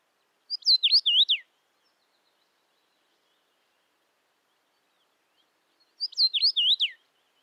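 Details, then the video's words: Common rosefinch song: a short, clear whistled phrase of about five sliding, up-and-down notes, given twice about five seconds apart, with silence between and no other sounds. "Птица Витю видел? Голоса птиц. Обыкновенная чечевица."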